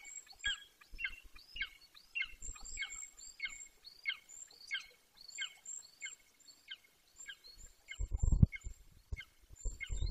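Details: An 18-week-old young Golden Eagle vocalising close to the nest in Bucovina on 9.6.21. Dozens of rhythmic, falling yelps sound in a long rapid series, with faint high thin whistles alongside and a loud wind gust near the end.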